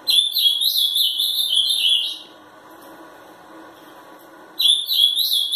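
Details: Angry three-year-old caged ultramarine grosbeak, a 'fibra' competition singer from Pelotas, Rio Grande do Sul, Brazil, delivers a loud two-second warbled phrase, pauses over two seconds, then starts another bright high phrase.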